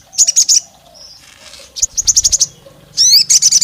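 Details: Olive-backed tailorbird, a female calling the male and provoking rival males: short bursts of sharp high chirps repeated rapidly, then a quick rising sweep followed by another fast chirping series.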